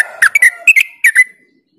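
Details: Trucuk, the yellow-vented bulbul, singing a quick ropel burst meant to stimulate other birds: five or six liquid, gurgling notes bunched into about a second, then silence.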